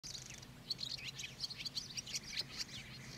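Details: A Barn Swallow twitters in a quick, uneven run of high, squeaky chirps and short buzzy notes over a faint low hum, recorded at Lake Kerkini National Park, Greece, in April 2024.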